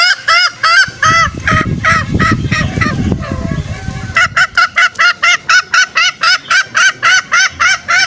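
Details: Green junglefowl lure call used to draw out males for snare trapping: rapid, regular series of short harsh honking clucks, about four per second, with rustling handling noise in the first half.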